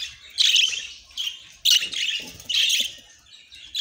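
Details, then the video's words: Pet budgerigars chirping in a chorus of bright, scratchy warbles and short tweets, bursts coming in waves every second or so with brief quieter gaps between them. "The Sweetest Budgie Sounds"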